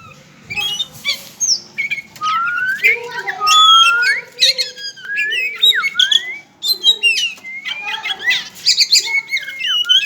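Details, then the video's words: Pet Oriental magpie-robin of the togar type, kept in captivity, singing a varied song of rising and falling whistles, sweeping slurs and sharp chattering notes in an unbroken flow. "Burung kacer togar"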